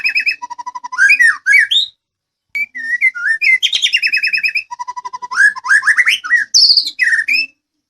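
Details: White-rumped shama (murai Medan) song meant to make other birds answer: varied loud whistles, rapid stuttering trills and rich slurred phrases, rising and falling, delivered in bursts separated by short pauses, with no other sounds.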